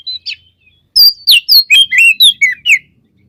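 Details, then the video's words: Gacor white-rumped shama song played as a lure to make other shamas excited: a few soft notes, then a quick run of loud, downward-sweeping whistles repeated about twice per second. "Suara Burung Kacer Gacor Full Isian, Pancingan Kacer Agar Cepat Emosi"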